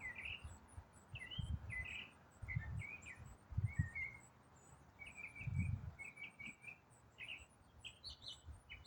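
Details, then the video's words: Unidentified songbird singing in autumn, repeating one complex riff without stopping: quick slurred and warbled notes in a running jumble, over low rumbling background noise. "What bird sings one complex riff for 8 minutes non-stop?"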